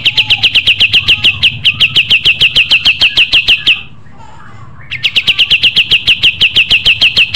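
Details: Energetic pied triller trilling: a steady stream of crisp, evenly spaced chipping notes, a one-second pause, then the same rapid series resumes.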